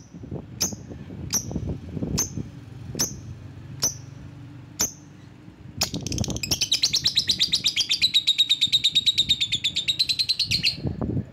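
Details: Lovebird calling to provoke rivals: single sharp high chirps about every half second, then a long rapid buzzing chatter of fast-repeated notes lasting several seconds.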